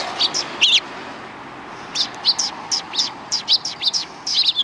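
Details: Sparrows on 13 December 2019 by the road before a Tenmangu shrine: a few loud chirps, a pause, then a lively chattering series of bright, slightly buzzy chirps from more than one bird.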